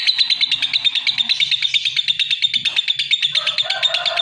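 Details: Lovebird chattering in a dense run of shrill, grating pulses at a steady pitch, with a few lower whistled tones appearing toward the end.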